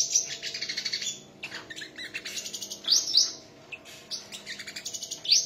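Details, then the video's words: Sunbird singing in a song contest, high thin twittering phrases in rapid pulsed bursts, broken by short pauses, with a faint low hum underneath. "chim hút mật hót đấu"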